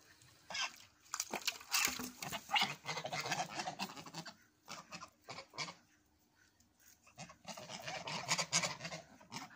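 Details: Geese active in the evening, giving harsh, honking calls in irregular bursts with short pauses between, overlapping with noisy, broadband clatter throughout.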